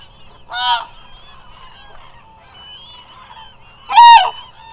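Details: Eurasian cranes at the Hula Nature Reserve, a remote wildlife site in Israel, filmed during migration: two loud, rolling trumpeting calls rich in harmonics, about three seconds apart, over a faint, steady chorus of distant flock calls.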